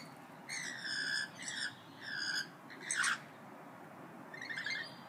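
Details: Parrots calling back and forth as if in discussion: several harsh, nasal squawks with stacked harmonics, each about half a second long, followed by a louder rasping squawk and a fainter final call.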